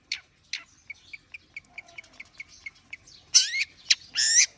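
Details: Long-tailed shrike (cendet) warming up, starting with a couple of sharp notes, then soft short pips about twice a second, ending in loud rasping bursts.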